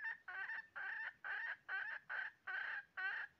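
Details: Red junglefowl recorded while trapping on 20 January 2023: a rhythmic series of throaty, stuttering clucks, each burst slightly rough and repeated about twice a second.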